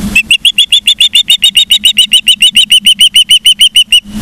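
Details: Osprey calling at a Charlo, Montana nest on 15 September 2023 at about 12:55, recorded by a live camera: a long, steady string of roughly twenty-six clear, high whistled chirps, about six per second, sharply repeated with little background noise.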